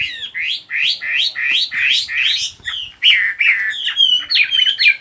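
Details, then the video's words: Birdsong opening with about seven loud, rising slurred chirps at a steady pace of roughly three per second, then shifting to a varied burst of sharper whistled and twittering notes with some higher accents. "nghe chim hót"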